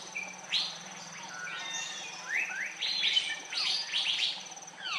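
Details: Andaman bulbul, Andaman Island, India, March 2020, giving scattered bright chirps and short upward-sweeping notes that crowd together midway, with a constant high-pitched whine and faint low hum behind.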